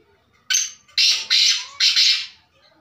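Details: A black francolin, known locally as kala teetar, calls with a series of harsh, scratchy notes, one short note followed by three longer rasping ones, on a quiet background.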